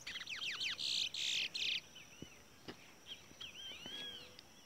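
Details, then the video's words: A caged Large-billed Seed-Finch (towa towa, curio) at a bird race sings fast, loud, buzzy high trills, then softer scattered whistles and sweeping slurred notes. "Bad Towa Towa/Curio/Bullfinch Bird Race"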